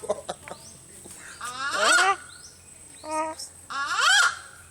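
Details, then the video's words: Bird at the Philippine Eagle Center, Davao City, gives laughing calls: harsh nasal honks with stacked harmonics, two louder rising bursts separated by a shorter, flatter honk. "Laughing bird"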